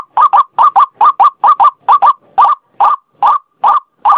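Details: White-breasted waterhen (ruak-ruak) calling for use as a lure: quick doubled croaks that slow into single harsh notes spaced about 0.4 seconds apart.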